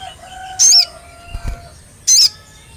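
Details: Lure recording of an olive-backed tailorbird: two loud, harsh, high notes about one and a half seconds apart, with a faint low thump between them and a thin steady tone underneath.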